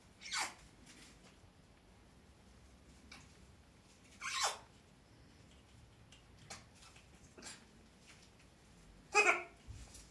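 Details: Curious female umbrella cockatoo gives three short, harsh, raspy squawks several seconds apart, the last loudest, in a quiet room with faint clicks between.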